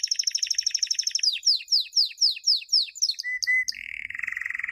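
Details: Canary song recorded in 2016 as a champion training song for young birds: rapid high trill, then a row of slurred downward-sweeping notes, ending in lower steady rolling trills.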